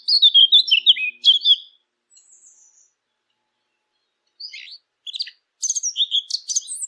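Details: Eurasian blackcap song for hunting callers: a loud, rapid warbled phrase, then near silence, then another burst of quick, sharp, high notes.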